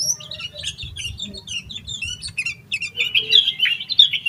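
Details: Agitated yellow-vented bulbul delivering a full, rapid song meant to stir other bulbuls into singing: fast chirping notes about three per second, ending in a longer, steadier warbled phrase.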